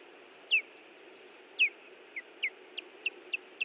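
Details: Ospreys defending their nest at Hellgate Canyon, Missoula, Montana, on June 18, 2017. Sharp, high, downslurred whistled calls, first spaced about a second apart, then quicker and shorter, over a steady low background hiss.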